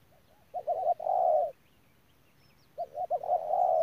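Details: Spotted dove kept as a ground decoy bird, recorded at Đức Cơ on 17/11/2018. It gives two low cooing phrases, each a couple of short stuttered notes running into a long, smooth, drawn-out coo, with a soft background hum.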